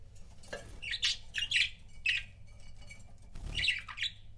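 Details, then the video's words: Pet budgerigar couples chirping indoors: scattered bright, squawky chirps and short warbled notes in irregular bursts, with a faint low hum underneath. "CUTE BUDGIE COUPLES"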